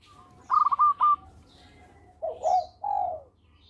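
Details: Zebra dove of local stock singing vigorously, a song used for luring: a fast clipped run of high staccato notes, a pause, then two mellow, rolling coos that fall away.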